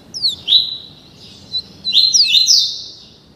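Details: Young double-collared seedeater, only 30 days old, caged and being tutored in the tuí tuí Alcântara song style: sharp descending whistled notes and sustained high buzzy phrases, with short pauses between bursts.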